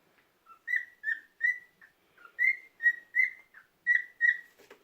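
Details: Cockatiel kept as a pet whistling a string of steady, bright notes with a few lower dips in between, roughly one every half second, indoors in a quiet room, with a person's German voice nearby.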